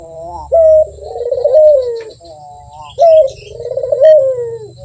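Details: A Barbary dove coos sweetly in two matching phrases: a sharp level note, then a drawn-out bubbling coo sliding downward, with soft faint chirps in the background.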